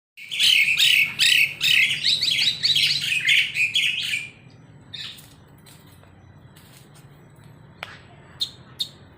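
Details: Bird singing while bathing by itself: about four seconds of quick, bright chirping and twittering phrases, then quieter scattered clicks and faint splashy knocks.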